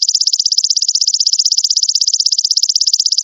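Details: Crimson sunbird (sogon) song from a master recording for training caged birds: a fast, even, high buzzing trill of rapid repeated notes running unbroken throughout, no other sounds.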